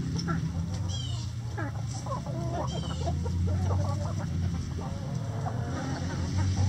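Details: Hens in a coop giving soft rapid clucks in a loose burst, several birds overlapping, with a couple of faint high chirps above a constant low hum.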